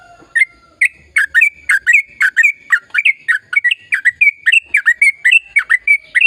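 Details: Energetic, extended sooty-headed bulbul song used to prompt quiet birds into singing: a fast chain of liquid, bouncing whistled notes dipping and rising, delivered in short rhythmic bursts with tiny pauses between.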